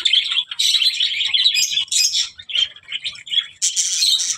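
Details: Budgerigar chattering in quick, high chirps and scratchy warbled notes, with short bursts of bright twittering and brief pauses between phrases.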